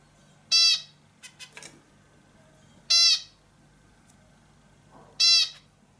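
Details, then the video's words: Indian bulbul uttering strident, nasal, buzzy calls, three loud bursts about two and a half seconds apart, with a few faint clicking notes in between, in otherwise quiet surroundings. "hint bülbülü sesi"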